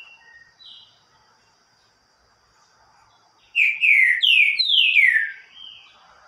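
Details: Green-winged saltator (Saltator similis) singing the loud "eu tô perdido" song: a few faint notes, then a quick phrase of four loud, rich, downward-sliding whistles over a steady high hiss.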